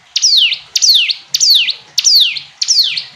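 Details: Five evenly spaced phrases from a hill prinia, each a piercing whistle sliding down then sharply up, given about every 0.6 seconds in a steady rhythm.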